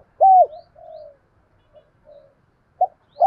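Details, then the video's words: Spotted dove heard in a recording used to teach decoy birds to call: one loud arched coo, a softer drawn-out falling coo, faint short notes, then a sharp clear note. "chim cu gáy giọng hay, mở nghe giải trí, dùng tập mồi gáy theo"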